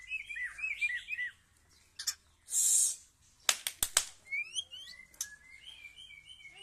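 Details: White-rumped shama singing: slurred whistled notes and fluttering trills, then sharp clicking snaps and a noisy hissing burst, followed by quick upslurred whistles and short chattering phrases.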